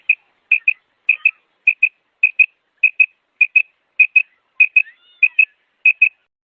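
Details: Female quail giving a steady series of clipped, high double notes, like pwik-pwik. Eleven pairs arrive about every 0.6 seconds, with a faint slurred whistle near the end and no other sounds.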